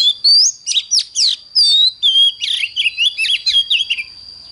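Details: Intense morning singing from an oriental magpie-robin ('căng lửa'): clear rising whistles and sharp chirps open, followed by a busy chatter of short, scratchy, warbled notes, with a faint steady high tone behind.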